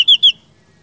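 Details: Seniper song phrase for masteran training: two bright, level whistled notes in quick succession, each with a slight downward slur at the end, then silence.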